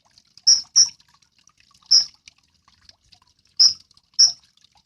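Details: Sunbird, locally named kolibri ninja, used to train songbirds. It gives five sharp, high, clipped notes in pairs and singles, spaced over a few seconds, with quiet between them.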